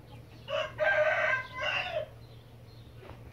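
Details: White red junglefowl crowing: one loud, strained, multi-part crow of about one and a half seconds, a short rising note, a long harsh middle section, then a falling tail, followed by quiet with a faint click.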